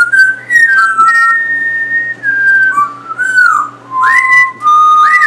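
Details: Captive male African grey parrot in a house of gamers, where it learned to imitate shooting and cussing, producing a long run of wavering, gliding whistles that rise and fall with some harsher bursts, over a steady indoor hum.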